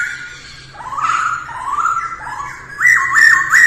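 A masked laughingthrush sings short, rising, slurred whistles in quick succession, growing louder and higher toward the end, over a faint low hum.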